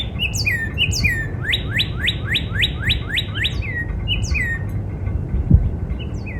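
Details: Backyard Northern cardinal in spring: slurred downward whistles open, then about seven sharp rising whistled notes in rapid succession, closing with more falling slurs. Faint high twitters from other birds sit above.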